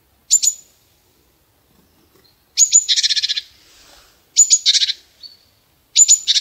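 A chickadee gives its chick-a-dee call about every two seconds: one or two thin, high notes, then a run of harsh, buzzy dee notes.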